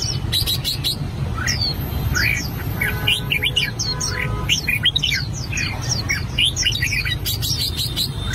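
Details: Albino red-whiskered bulbul practising its song: quick runs of bright whistled notes, some falling slurs, delivered in a busy stream over constant low background hum.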